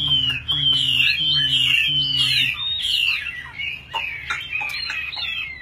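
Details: Tame caged Chinese hwamei, a good fighter, singing strong sustained whistles and slurred notes, joined by a low droning hum early on and occasional sharp clicks.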